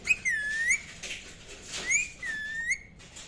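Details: Indian ringneck parakeet whistling two long drawn notes that sag and rise again, over a hissing, noisy background.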